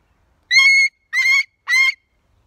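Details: Rescued pet umbrella cockatoo screaming outside as he celebrates nature: three loud, rough, slightly rasping shrieks, the last rising briefly at its start, after a short silence.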